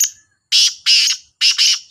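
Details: Black francolin (kala Sindhi teetar, Sahiwal teetar), two birds calling in competition: a faint opening note, then three loud, harsh, rasping bursts in quick succession, the last one split into a double note, with silence between them.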